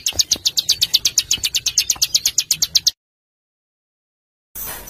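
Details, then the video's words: Burcil besetan, a small bird used as a harsh master voice for tutoring pet and contest songbirds; about three seconds of rapid, rhythmic high-pitched chattering, then silence and a faint hiss. "Suara Masteran Burcil Besetan Kasar"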